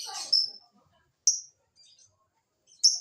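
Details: Lovebird sounds used as a lure to make other lovebirds sing and reply: three shrill, harsh high-pitched bursts, a longer raspy one at the start then two short squeaky notes, separated by silence.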